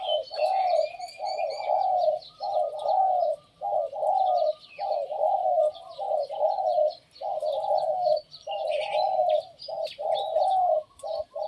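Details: Decoy Spotted Dove used as a lure bird, cooing steadily: low, hoarse, throaty coos in tight runs of two to three notes, with short pauses between. Thin high chirps and twitters from small birds sound throughout.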